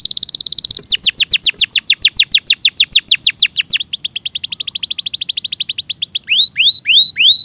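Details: Singing canary in a clear training recording: a rapid rattling trill of steeply falling notes for several seconds, slowing at the end into a few separate upward-hooked chirps.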